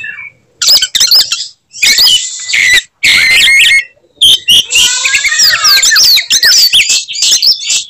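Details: Caged Oriental magpie-robin in fighting song aimed at making rivals angry: separated bursts of harsh buzzy chatter, then a long run of rapid whistled slurs and sweeping notes.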